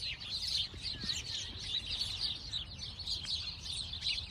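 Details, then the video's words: Little sparrows chirping together, a dense chorus of short, high, overlapping chirps and tweets running without pause, with a faint low background rumble. "Relaxing sparrow sound | relaxing bird sound | birds chirping sound"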